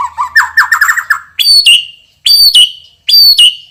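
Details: Loud, strong-voiced champion white-rumped shama: a quick stuttering series of lower chattering notes, then three ringing high whistled phrases, each sliding down at the end.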